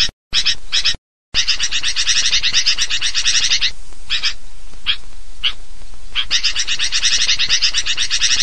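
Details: Noisy Sooty-headed bulbul calls used as a lure to gather birds: continuous, crowded high chirping from several birds, broken by brief silent cuts, a quieter stretch of single chirps, then dense chatter again.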